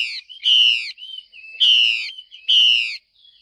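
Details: Female Chinese hwamei calling to prompt males to sing, three loud harsh buzzy notes rich in overtones, each about half a second long, separated by thin whistled linking sounds.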